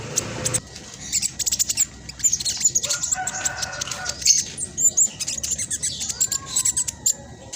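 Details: Black sunbird singing persistently as a master call for reluctant caged birds: fast, tightly packed, high-pitched chatter and ticking bursts, with a few short thin whistles and a faint lower sliding tone near the end.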